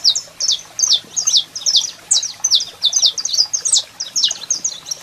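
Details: Singing male saffron finch with a female calling: loud, crisp high chirps and zigzag slurred notes, delivered in a brisk, fairly even series of about two to three per second.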